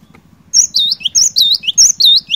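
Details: Lively cinereous tit song meant to rouse a quiet bird: one continuous run of about six rapid, high, ringing whistled phrases in quick succession over a low steady hum.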